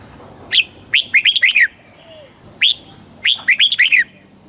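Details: Red-whiskered bulbul giving two cheerful song phrases, each opening with a sharp upswept note followed by a bouncy string of descending whistles.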